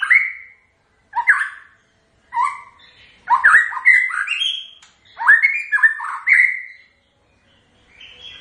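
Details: White-rumped shama song: loud whistled phrases of rich, slurred notes between one and three kilohertz, in bursts separated by short pauses, some phrases rising and others falling, with clicks mixed in.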